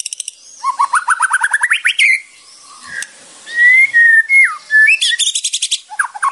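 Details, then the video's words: White-rumped shama, or murai batu, song for training: a quick rising series of rattled notes, a pause, then long pure whistled notes and a sharp downslur, finished by a dry rattle. "MURAI BATU / WHITE RUMPED SHAMA SONG"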